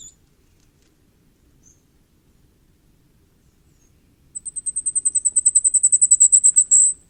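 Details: After four quiet seconds, a common firecrest starts a rapid series of very high, thin notes that build steadily in loudness for nearly three seconds before ending sharply.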